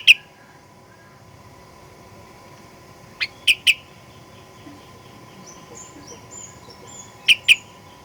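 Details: Sooty-headed bulbul played as a lure to make birds sing aggressively: sparse clipped chirps in quick pairs, a single note at the start, then doubles at about three and seven seconds, with faint twittering and a constant hum between.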